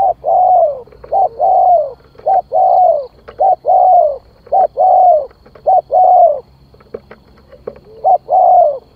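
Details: Continuous spotted dove calling used to lure birds: phrases of short and long wavering coos follow each other almost without pause, some overlapping, with faint clicks behind.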